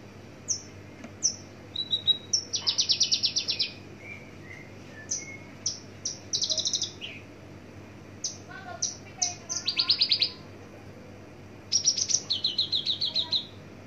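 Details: Javan bush lark of the parva form, singing from a distance with a varied burst of song: high thin whistles, sweeping slurred notes and several fast buzzy rattling trills, mostly very high-pitched, over a low steady background hum.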